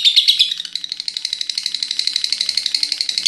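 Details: Ngekek chatter of a pet lovebird that keeps going until morning: a few loud shrill notes open, followed by faster, softer, clipped pulses about four per second in a steady run.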